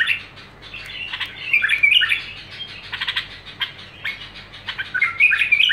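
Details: Continuous bulbul song: fast, rambling warbles and squeaky chirps running on without a break, some louder bursts of rich bubbling notes; low electrical-sounding hum in the background.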